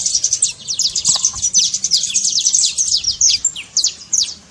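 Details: Energetic trincado by a saffron finch, meant to get a silent canary singing: a thick, rapid chatter of high downslurred notes running almost without a break, a few isolated chips at the end.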